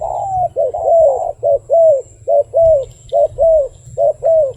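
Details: A wild dove calls in a quick run of double coos, short rising note then a longer bowed one, rhythm near one pair per second, with low background hum.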